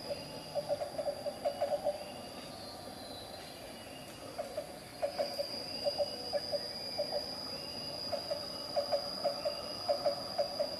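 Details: Black-banded Barbet (Psilopogon javanensis), endemic to Java, at Carita, Pandeglang, Banten, gives low hollow notes in quick clusters of three to five, repeated every second or so, over a steady high insect whine.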